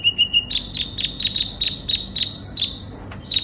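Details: ['Sunbird singing a steady series of sharp, high chirps repeated about four times per second, opening with three softer lower notes.']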